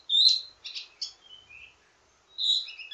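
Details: Wambi mini delivering a ledekan (teasing) song variation used as a tutor for other birds of its kind: a bright high whistle, a buzzy note, soft slurred tones, then another clear whistle.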